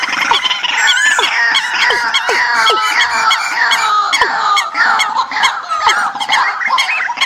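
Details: Migration-season bird decoy recording, a dense continuous chorus of many birds with chattering whistles, repeated downward-sliding notes and high thin squeaks, and no pauses.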